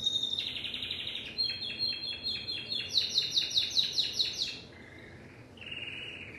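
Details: Singing Timbrado canary: a sustained trill followed by evenly spaced pulsed notes repeated about three times a second, then a faint low warble and a soft closing trill.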